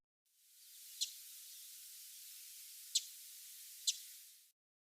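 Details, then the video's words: Three sharp, high chip calls of a migrating Wilson's Warbler, irregularly spaced, among riparian trees at Spokane Bay near Helena, Montana, at midday in late August during fall migration, over a steady background hiss. "occasionally I also hear the sharper chip calls of a Wilson's warbler"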